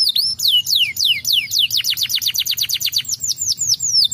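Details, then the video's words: Canary song played to stimulate birds: a fast series of bright, sharply downslurred whistles repeated several times a second, steady and energetic, with a low hum underneath. "хутка стымулюе гук канарэйкі"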